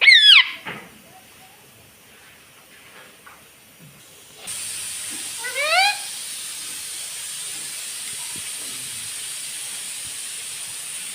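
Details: Pet green rose-ringed parakeet talking: one quick burst of sharp, rising-and-falling nasal syllables at the start, then a second short warbled phrase about five seconds later, against steady hiss.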